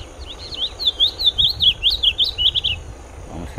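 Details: Sayaca tanager singing a rapid run of thin, high squeaky notes sliding up and down, about a dozen in under three seconds, over a faint background hum.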